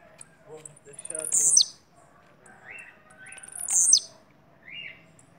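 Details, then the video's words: Blue-black grassquit from Bahia with two strong, high, buzzy phrases ending in downward sweeps, interleaved with shorter, lower rasping notes. "TIZIU BAIANO"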